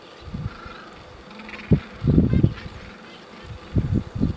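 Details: Gentoo penguins in a colony on Carcass Island, Falkland Islands, January 2012, giving low, harsh honking calls in short, uneven bursts, some run together, over a steady background hiss.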